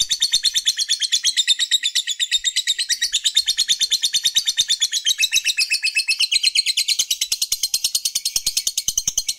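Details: Fighter lovebird ('labet') keeping up a long 'ngekek' chatter meant to provoke rivals: a steady, scratchy, machine-gun trill of high pulses lasting the full nine seconds, the tone shifting slightly partway.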